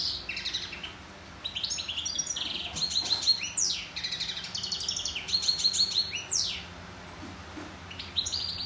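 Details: European goldfinch singing: a fast, rambling run of high, bright twitters, buzzy trills and sharp downward-sweeping notes in bursts, with brief pauses between phrases over a steady low background hum.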